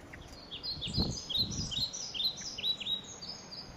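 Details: Blackbird nestlings in a nest inside a shed, being fed insects: a busy jumble of thin, high chirps and short downslurred squeaks, several every second, over low rumbling handling noise.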